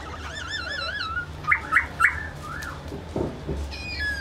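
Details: Laughingthrush singing a run of wavering, warbled whistles that falls into three short rising-falling notes near mid-clip, then softer slurred phrases and a final high trill, over a low steady background hum.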